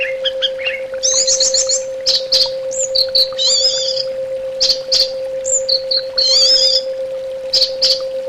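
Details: Orange-headed thrush song from a therapy recording, varied and lively, with trilled high phrases, short clear whistles and sharp clicks in quick succession, above a continuous faint hum.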